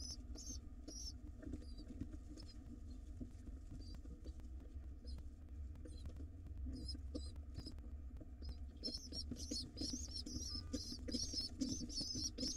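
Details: Hungry wild pigeon nestlings fed by their father in a nest box: bursts of thin, high squeaks at the start, sparse notes midway, then a dense run of squeaky begging calls at the end over rustling and low hum.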